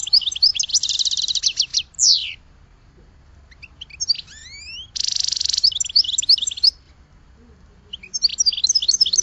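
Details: Singing goldfinch mixing dense, harsh buzzy trills with sharp downward slurs and rising whistled sweeps, broken by brief silences between phrases.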